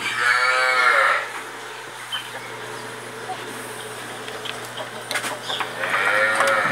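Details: Rooster described as a grandson of a rooster called Comandante, crowing twice: long harmonic-rich calls near the start and again near the end, with a steady low hum and faint background noise between.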